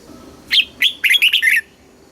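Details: Caged red-whiskered bulbul singing a short southern master-style phrase to rouse other birds: two separate whistled notes are followed by a rapid string of four bright, slurred notes in under two seconds.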